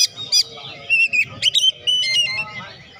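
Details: Oriental magpie-robin song meant to stir lazy birds: harsh scratchy bursts mixed with flat whistled notes and short rasping phrases, closing with softer trailing sounds.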